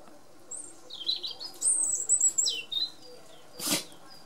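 A European robin sings a thin, high, tumbling phrase of sliding and wavering notes lasting about two seconds, then a single broad rustle or thump.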